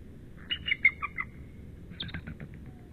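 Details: Male bald eagle incubating at the nest just after midnight on 10 March, calling back to his mate: a string of high thin chittering notes, then a second burst of sharp twittering chips, over low background rumble.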